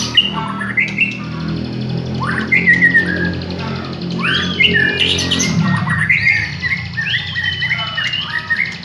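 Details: White-rumped shama of the village type, singing as a lure. Rising and falling whistled phrases and a brief harsh burst play over a constant low droning hum.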